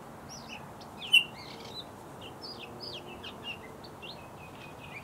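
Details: Bluethroat singing a varied run of high chirps, buzzy twitters and short slurred notes, with one sharp louder note early on and a faint low rumble behind.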